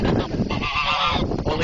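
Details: Agitated geese honking at a visitor at Spruce Haven Zoo, Sault Ste. Marie. A goose gives a loud, harsh, nasal honk, a single drawn-out blast, with a person's voice and outdoor noise behind.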